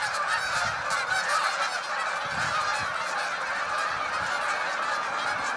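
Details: A flock of hundreds of Canada geese taking to the sky, honking together in a dense, continuous chorus of overlapping nasal honks with no break, over a faint low rumble.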